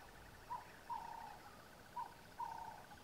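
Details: Near Satara Rest Camp in Kruger National Park, a Burchell's coucal calls in low, hollow paired notes, a brief hoot then a longer falling note, with a constant pulsing trill behind.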